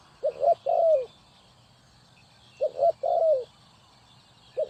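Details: Spotted dove from Ninh Thuận, Vietnam, kept as a decoy for bird trapping, giving mellow low coos: two quick notes, then a drawn-out sliding croo, repeated twice about two seconds apart, a third phrase starting at the end.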